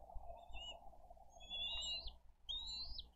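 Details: Bald eagle nest in Dade County on 22 April 2023 while the adults bring fish and feed the eaglets: two drawn-out, high, rising whistles follow faint shorter notes, against a soft steady background hiss.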